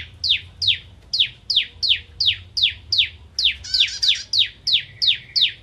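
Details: Bar-winged prinia repeating sharp, descending chip notes at a steady rhythm of roughly two per second, with a brief higher, more complex warbled phrase mixed in midway.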